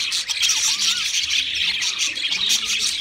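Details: Loud, constant budgerigar warbling from pet birds: grating squeaks, thin whistles and buzzy chirps layered together, with faint lower gliding tones.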